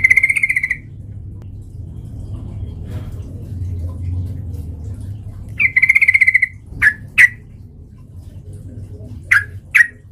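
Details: A sooty-headed bulbul recorded as a lure to provoke fighting. Two buzzy, pulsed chatters about five seconds apart are followed by four sharp, short, explosive notes in pairs, over a quiet low rumble.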